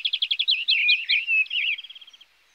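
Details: A European greenfinch sings a short phrase that opens with a fast run of repeated chirps. It moves into twittering, wavering notes and fades on a quick dry trill.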